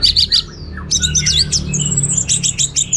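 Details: In rich 'teler' style, an orange-headed thrush pours out dense high twittering: rapid chirps and short whistles packed closely together, including a long thin high note, over a faint low hum.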